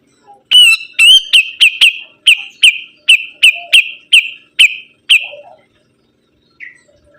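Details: Sibuntung bird in full song: about a dozen loud, clipped chirps on one high pitch, spaced roughly half a second apart, then a pause and a few faint notes.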